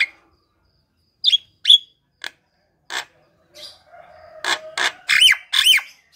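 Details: Javan myna singing in lively form, played to prompt silent, sluggish mynas to sing: scattered sharp whistled notes, then a fast run of loud harsh buzzy bursts near the end.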